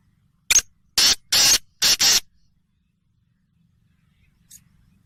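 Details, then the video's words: Black francolin calling once: a brief clipped note followed by a burst of four harsh, hissing, grating syllables, two long and two paired, delivered within under two seconds, then a faint click and quiet background. "Kala Teetar ki Awaz/ Black Frankolin Voice/ کالا تیتر کی آواز"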